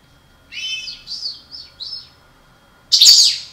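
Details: A breeding pair of European goldfinches of the parva subspecies gives a quick run of bright, twittering, slurred notes over about a second and a half, then, after a pause, a harsh burst of noise.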